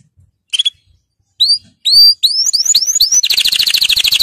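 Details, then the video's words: Canary song for teaching young birds: a few sharp chirps, then a run of rising whistled notes, then a fast high rolling trill. "Chant Canari Super Pour l'écolage des jeunes من أجمل تغاريد طائر الكناري لتسميع الفراخ"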